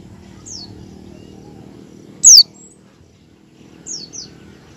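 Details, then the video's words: Oriental white-eye singing in ngecal style while learning ngalas, played to make white-eyes open their beaks and sing. A single piercing falling whistle sits between soft paired downslurred chirps, over a quiet low hum. "pleci ngecal dan belajar ngalas cocok buat pancingan pleci agar buka paruh"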